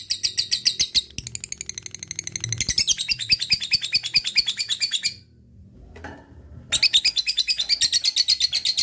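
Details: Lovebird in energetic ngekek chatter, rapid high notes in long bursts, broken by a near-silent gap of about a second and a half before the chattering returns.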